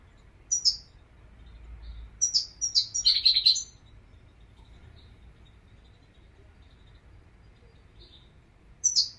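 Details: A European goldfinch sings scattered high, sharp chirps, then a denser burst of bright twittering notes. A long quiet stretch follows, ending in one more high chirp. A soft low rumble sits underneath.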